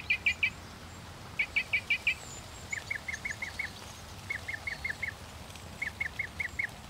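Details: Northern mockingbird delivering quick bursts of four to five sharp chip notes, repeated as tight groups with short pauses, against a steady background hiss.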